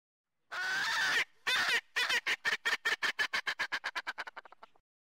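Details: Erckel's francolin (Pternistis erckelii), introduced to Hawaii and locally called the Laughing Bird, gives a loud, harsh laughing cackle: two long grating notes, then about a dozen clipped notes that speed up and fade away.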